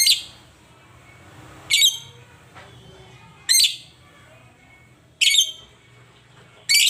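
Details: Lovebird giving shrill, harsh chirps, five sharp bursts spaced roughly 1.5 seconds apart, each a quick high screechy note over a quiet background with faint low hum.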